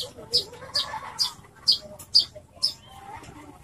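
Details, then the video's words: Loud-voiced Horsfield's bush lark singing strongly: a string of six sharp, high, clipped notes, spaced roughly every half second, with quiet background hum between them. "branjangan suara keras"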